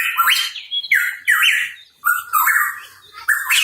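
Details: Hooded pitohui, the cucak rawa papua, giving a lively song of repeated rising whistled slurs in bursts about a second apart, each a loud, rich phrase.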